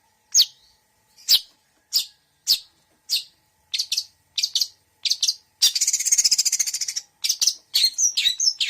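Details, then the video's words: Long-tailed shrike singing a mixed fill-in song: sharp single chips spaced about half a second apart, speeding into chirp clusters, then a long harsh rattling rasp and further chirps. "Suara Cendet Campuran Isian Full"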